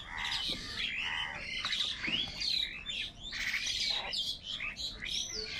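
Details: Crows squabbling and fighting over food, giving a rapid jumble of harsh, overlapping squawks and caws with some higher chirps, several birds calling at once with barely a pause across the stretch.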